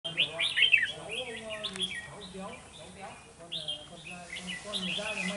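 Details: Red-whiskered bulbul used as a decoy during trapping on 13 November 2018, singing to challenge rivals: bursts of high, bright, slurred chirping phrases, with a man talking quietly underneath.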